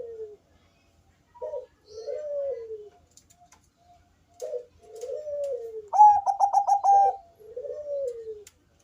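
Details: Deep-voiced Bangkok zebra dove, its melodious song used to prompt other doves to call. Brief clipped notes each lead into a long downward coo, and a loud stuttering trill of about seven beats comes near the end.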